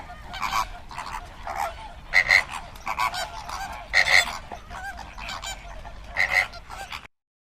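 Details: Flamingos honking in a flock, with louder nasal calls standing out roughly every two seconds over a background chatter of many birds; the sound stops abruptly near the end.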